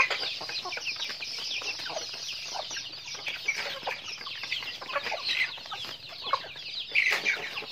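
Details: Chickens heard during their daily routine, a steady chorus of thin, high chirps and peeps from numerous birds, with occasional louder squawks near the end.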